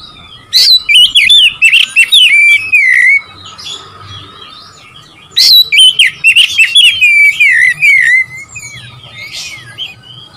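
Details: Oriental magpie-robin song aimed at stirring up rivals: two long, loud phrases of twisting whistles that fall in pitch, mixed with sharp ticks, about five seconds apart, with a steady faint tone and low rumble between.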